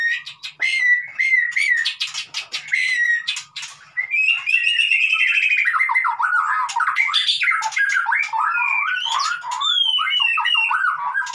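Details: White-rumped shama song intended to get a quiet bird singing: opening sharp clicks and short whistles give way to a long unbroken stream of warbled, chattering and trilled notes sweeping up and down.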